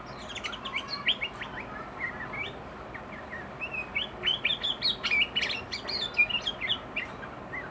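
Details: Excited sooty-headed bulbul pouring out its learned fill-in song: rapid run of varied whistled and chirpy notes, slurred upward and downward, growing louder and denser toward the end, with a faint background hiss.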